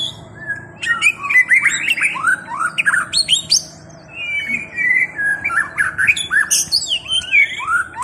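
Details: White-rumped shama pours out a rich, varied stream of whistled, swooping notes and sharp clicks, fluty slurs rising and falling continuously over a steady low hum.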